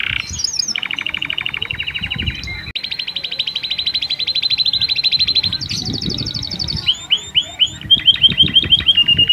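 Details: Canary in full song to arouse females for mating: a buzzy opening, long steady rapid trills, a higher trill section, then repeated rising whistled notes, with some low background rumble.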